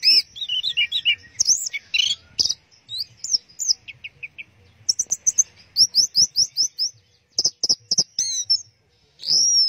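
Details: Orange-headed thrush singing teler: lively, varied phrases of high clear whistles, sharp downslurred chirps and quick runs of repeated notes, separated by brief silences.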